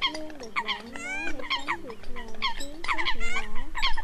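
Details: Eurasian coot lure calls from the 2020 migration season, used to draw in migrating birds: a rapid, uneven run of overlapping nasal honks, some rising then falling in pitch, above a constant low droning hum.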